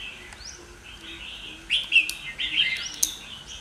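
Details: A caged Red-whiskered Bulbul, wild-caught in Kim Bôi, Hòa Bình and kept more than two months, gives soft rising notes, then a sudden burst of loud, rich chirps and warbles.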